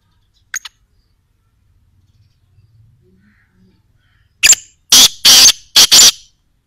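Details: Black francolin (kala teetar) calling: after a brief high note and near silence, a loud burst of harsh, grating, broadband notes delivered in a quick series of about four.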